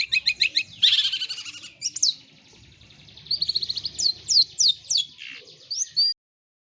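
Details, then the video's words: Long-tailed shrike with a song fill of greja and kunti: a few quick chirps, then a scratchy buzzing stretch. Clear rising whistled slurs follow, spaced about half a second apart, before the song stops abruptly. "cendet isian greja sambung kunti"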